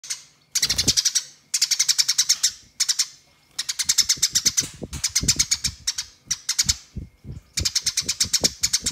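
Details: Fighting house sparrow calling to rivals, a behaviour named nyerecet: bursts of rapid, dry, high chirps in fast series, separated by short pauses, with soft low thumps underneath.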